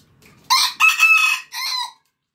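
A red junglefowl rooster gives a brief, harsh crow in three quick phrases, with a long middle note and a clipped ending, all in about a second and a half.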